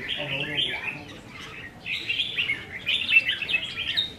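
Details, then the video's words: Red-whiskered bulbuls kept in cages compete in song, recorded 15 May 2021. Short sweet warbles and sharp chirps follow each other closely over about four seconds, with soft human speech beneath. "Chào Mào Đấu Giàn | Dợt Chim Chào Mào Đấu Hót"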